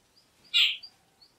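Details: Jungle babbler, a common resident bird of the Indian subcontinent, gives a single short harsh note lasting about a quarter second, with a faint trailing note after it.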